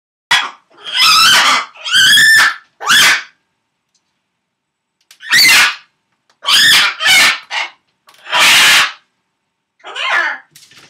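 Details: Macaw, male, screams to make sure his owner knows he's there as her favourite TV show is about to start: loud, harsh, raspy screams in bursts of about half a second to a second, some run together, with short silent gaps between.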